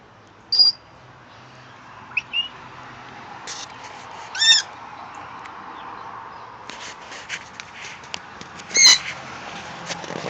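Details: A 9-month-old Meyer's parrot that grew up around sun conures mimics a conure call with a few loud, harsh, high squawks spaced several seconds apart, with faint room noise between them.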